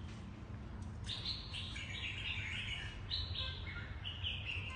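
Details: A mutant platinum-pied red-whiskered bulbul sings two bright, warbled phrases of rolling, liquid notes, each about two seconds, over a steady low rumble of background noise.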